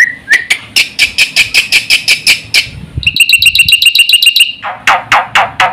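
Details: Black-winged starling singing fast to stimulate and tutor other birds: a quick series of about a dozen harsh, evenly repeated notes, then a rapid rattling trill, ending in loud rasping calls.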